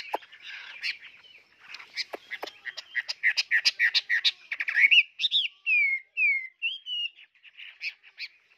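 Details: Tame hwamei kept in a cage, singing hard: quick clicks and chattering notes building up, then clear slurred whistles, some rising and some falling, each about half a second long.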